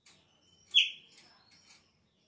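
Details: Chopi blackbird singing at the start of the season, when its song is said to change: one loud whistled note sliding downward, with softer short whistles before and after it.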